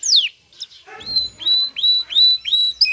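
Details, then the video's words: Aroused male canary courting a female: a sharp descending sweep, then five short rising whistled notes evenly repeated about every half second, with faint low rustling beneath. "ذكر كناري هائج يجعل أنثي الكناري تأخذ وضعية التلقيح"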